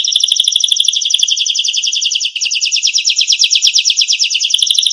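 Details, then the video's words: Canary singing for a songbird-tutoring recording: a dense, rapid trill of repeated syllables, briefly dipping in the middle before resuming as clearer pulsed notes, loud throughout. "masteran burung kenari"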